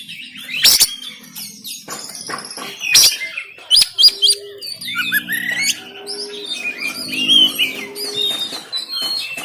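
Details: Oriental magpie-robin from Banten, phone-recorded harsh 'tembakan kasar' song played to rouse lazy birds to sing and spread their tails. Sharp rasping blasts and busy twittering whistles over a low steady repeated hum-like note.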